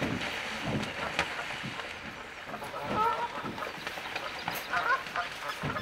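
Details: Canada goose; calls; fighting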